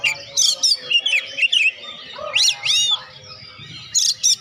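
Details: Oriental magpie-robin song, meant to stimulate lazy birds to sing: bright whistled phrases, rising and falling slurs and a few low notes, delivered in quick bursts with brief gaps.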